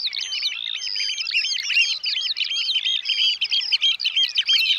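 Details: Piping chorus of Eurasian oystercatcher in the Netherlands: fast, unbroken, shrill notes pour out at a hurried pace, tightly overlapping and ringing throughout.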